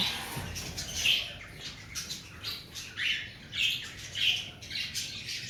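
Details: Cockatiel parrots in breeding season giving scattered harsh squawks, a few louder calls standing out around the first and third to fourth seconds over a soft background chatter.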